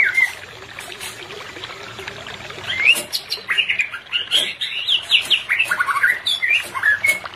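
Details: White-rumped shama, for a non-breeding pair therapy: a short whistle, a pause, then a rich run of quick warbled, slurred notes, with background clicks.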